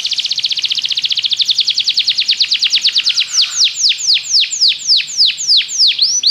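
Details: Belgian canary song meant to get other canaries singing: a rapid, even trill of short notes that slows into loud, separate downslurred whistles, about three each second.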